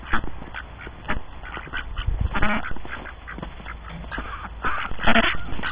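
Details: Domestic ducks on a snowy January morning, hungry after being cooped up, calling noisily: bursts of harsh nasal quacks, some overlapping, roughly every couple of seconds, over a steady low rumble.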